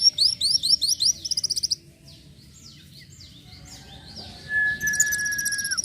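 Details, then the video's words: Van Hasselt's sunbird gacor isian song. It opens with rapid high slurred notes and trills, drops to soft twitters, then ends with a long level whistle and a high trill. "masteran burung kolibri wulung (Kowul) gacor isian"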